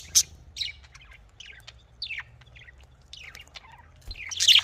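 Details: Budgerigars give sparse, short chirps and downslurred squeaks at intervals, then a louder, harsh burst right at the end, over a quiet low hum.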